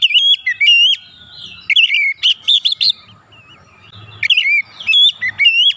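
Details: White-rumped shama song for rousing stressed kacer birds: lively mix of whistles, twittering chirps and slurred notes in alternating bursts, with soft low rumbling behind.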